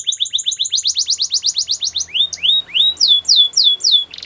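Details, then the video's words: Canary training song: a fast regular series of rising whistled notes, several per second, giving way to slower, louder upward-sweeping slurs repeated about twice a second. "Canary training song"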